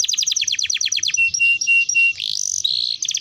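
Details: Singing canary, played as a lure to make other canaries sing quickly: a run of rapid descending chirps, then sustained whistled tones and a fine rolling trill, all high-pitched.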